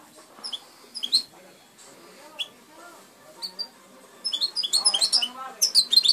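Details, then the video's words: Hand-raised European goldfinch giving scattered high chirps and twitters, building to a denser run of rapid tinkling notes in the second half, with faint low background sounds. "Camarón(jilguero criado a mano)"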